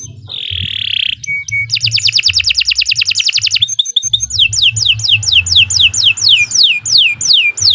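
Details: Long, shrill canary song for tutoring other birds: a harsh buzzy note, a short flat tone, then a rapid rattling trill. It ends in loud falling whistles repeated roughly three times a second, with faint low background hum.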